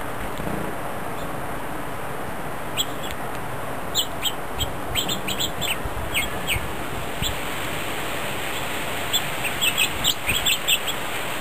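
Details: Several grosbeaks feeding together on New Year's Day, 1 January 2010, giving short, high chirps, scattered at first and then in quick clusters toward the end, over a steady background hiss.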